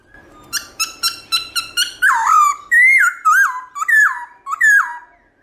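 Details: Black-throated laughingthrush singing a wild-type song in the morning: a quick run of six short staccato notes, then loud swooping whistles rising and falling, repeated about twice a second.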